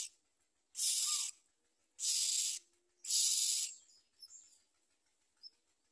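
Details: Nestling common mynas beside their mother at the nest, feeding poorly and pecking at her; three raspy, hissing bursts about a second apart, then faint high chirps and quieter squeaks.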